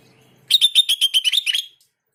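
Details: A sooty-headed bulbul gives a quick run of about ten bright, high notes lasting just over a second, after a short quiet start; a training call meant to make other bulbuls answer.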